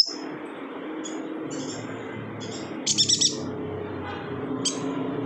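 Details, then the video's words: A yuhina from Kalimantan gives thin, high chirps spaced about a second apart, then a quick rattling burst of four notes, over a steady broad hiss. "BURUNG YUHINA GACOR"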